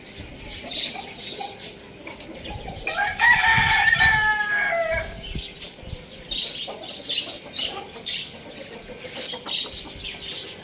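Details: Amid constant twittering of small birds, a rooster breaks in with one strong crow of about two seconds. The call is harmonic and ends in a falling note.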